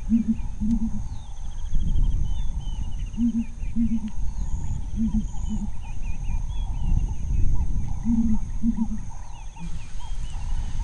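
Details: A female Southern Ground Hornbill gives deep, paired booms, two hollow notes every two to three seconds, while hunting insects in bushveld grassland among impala. Small birds trill faintly behind. These calls carry in early mornings and late afternoons.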